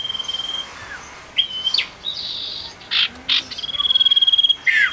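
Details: A tame, actively singing male common iora gives long, level high whistles and scattered chirps, then a fast even trill of about a dozen rapid notes, ending on a sharp downward note.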